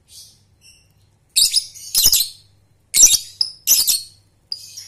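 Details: Lovebird chatter meant to train young birds to trill (ngekek): faint whistles, then four harsh buzzy bursts about half a second each, separated by brief silences, with thin high chirps between them.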